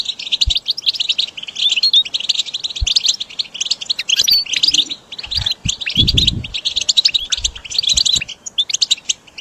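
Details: Recording meant to motivate caged goldfinches during song training: fast jingling chirps and buzzy twitters run without stopping, broken by a few dull knocks and low thumps.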